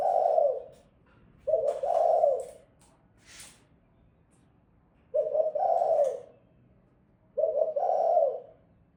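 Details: Female spotted dove giving soft, hollow coos in short phrases, four phrases spaced a few seconds apart, with light tapping and scratching noises between them.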